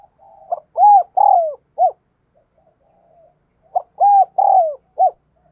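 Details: Decoy spotted dove giving its urging coo to provoke other doves, cooing eagerly and often: two phrases of several short, hollow, mid-pitched coos, the louder middle notes drawn out, spaced about three seconds apart, against a quiet background.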